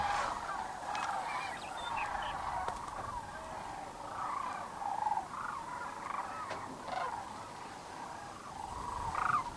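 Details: Sandhill cranes returning to roost on the Platte River near Kearney, Nebraska, on a March evening: a dense, continuous chorus of rolling, rattling calls from a large flock, steady throughout.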